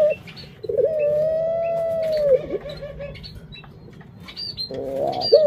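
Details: Collared dove kept as a pet: one drawn-out, even, mellow coo lasting nearly two seconds, bending down at its close, with scattered sharp chirps from other small birds.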